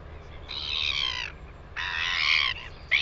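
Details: Northern royal albatross in New Zealand, recorded 9 September 2020: two long, harsh, nasal braying calls rich in stacked harmonics, each just under a second, with a brief clipped note at the end over faint low rumble.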